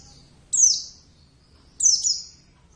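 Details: Pet Javan oriental white-eye, hand-raised and kept caged, giving two bright, very high notes that slide downward and trail off, about a second apart, over a quiet background.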